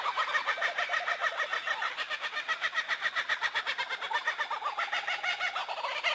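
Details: Dense, rolling kookaburra laughter, with fast chattering hoots pouring out in overlapping bursts for six seconds and swelling and easing in volume.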